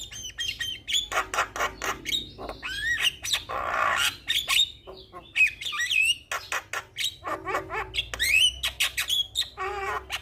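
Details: Javan myna singing energetically: rapid clicks and harsh chatter broken by a rough buzzy squawk, then looping whistled notes and a rising series of squeaky phrases.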